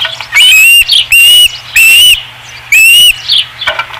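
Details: Osprey calling at the Dunrovin Ranch nest, 5 August 2016: four strong, drawn-out whistles with a slight rise, evenly spaced about two-thirds of a second apart, with softer chirps between.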